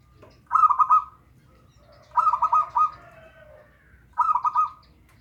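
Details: Local zebra dove, offered as lure audio to prompt a dove that is slow to sing, gives three rolling cooing phrases of fast bubbling notes, each followed by a drawn-out tail, spaced about every two seconds with quiet between.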